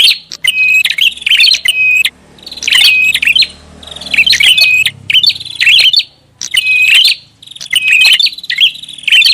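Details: Prinia calling noisily as a lure: harsh chattering bursts about one second long, repeated roughly every one and a half seconds, with a faint low hum underneath.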